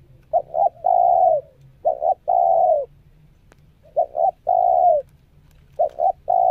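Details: Spotted dove, a decoy bird on its second training day, still settling into moving in and out of its perch. Soft double notes run into long level coos, each phrase about two seconds apart, with faint low hum.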